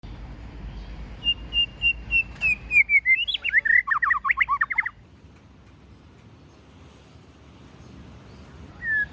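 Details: White-rumped shama singing in forest-voice style, used as a lure song; a series of clear repeated whistles then a fast run of varied looping notes, ending abruptly, with a steady low hum behind.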